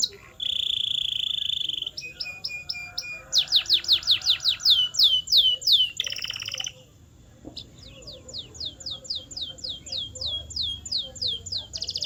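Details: Canary training song: a flat sustained whistle, a brief series of short notes, loud falling sweeps in a fast run, a buzzy roll, then a long even series of descending whistles.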